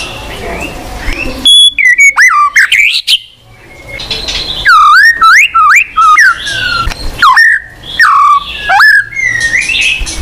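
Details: White-rumped shama, the murai batu, singing to prompt a silent bird: repeated loud phrases of high whistles ending in deep hooked downward slurs, roughly every second, over faint background noise.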